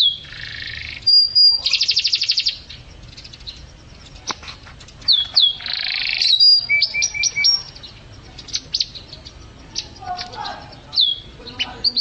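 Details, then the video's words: Canary singing energetically for songbird training: loud high bursts of buzzy trills, sharp whistled sweeps and short chattering runs, broken by brief silences. "Suara Burung Kenari | Gacor"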